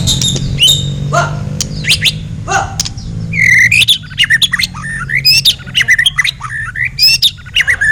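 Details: White-rumped shama (murai batu, blacktail type) singing in a song duel with a kapas tembak bulbul, recorded as tutor material for other songbirds; dense, rapid mix of whistled slurs, sharp chips and buzzy notes over a steady low hum.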